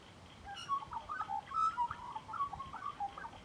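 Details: Magpie heard at close range, giving a soft, varied run of warbled, whistled notes that rise and fall in short phrases throughout, with a faint steady high hiss behind it.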